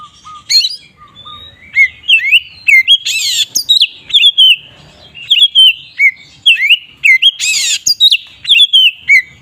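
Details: Magpie-robin ngeplong song used as a provoking lure for other magpie-robins. A long run of sharp whistled and chirped notes, with low flat whistles at the start and two harsh buzzy rasps mixed in.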